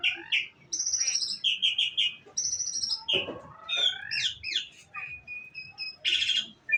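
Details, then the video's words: Songbird delivering a rich, varied medley of high whistles, rapid trills and swooping slurs, ending with a dense buzzy burst and a short chirp. "suara burung"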